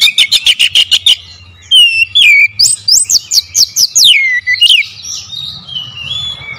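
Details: Oriental magpie-robin lure song: a fast series of about nine harsh, buzzy rattling notes, then a rapid run of clear whistled upslurs and descending sweeps, ending in softer trailing whistles.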